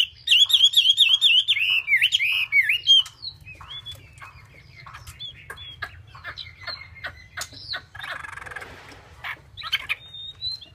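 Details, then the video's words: A Chinese hwamei opens with a loud, fast run of rich, rolling warbled phrases, then continues with thinner whistles and chips over a low steady hum. "họa mi"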